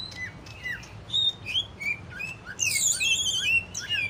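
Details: Greater green leafbird song of short whistled slurs, several dropping in pitch, that builds into a dense burst of high, rapid chattering notes near the end. A low steady hum runs beneath.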